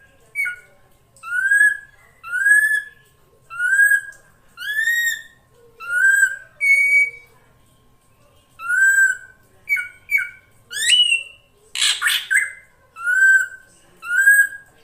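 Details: Female drongo calling to attract the male: a steady series of clear, slightly rising whistles with bright overtones, repeated about every second, later broken by a few sharp two-part notes and one harsh burst.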